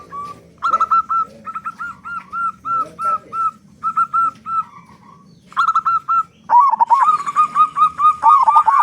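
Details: Local Indonesian zebra dove, a prolific singer with a big voice, used to prompt other doves to sing: rapid series of short, bright, clipped coo notes repeated in bursts, then a warbling rolling phrase near the end.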